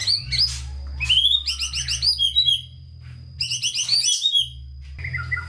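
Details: White-rumped shama song used as a master to stimulate lazy, low-spirited shamas: bursts of quick bright chirps in rapid series, brief pauses between bursts, a few soft whistled notes closing; low hum throughout.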